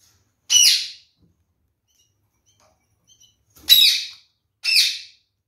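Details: Red-fronted parakeet kept in captivity as one of a pair, eating seeds, utters three rasping, high screechy calls: one, a long pause of about three seconds, then two more in quick succession.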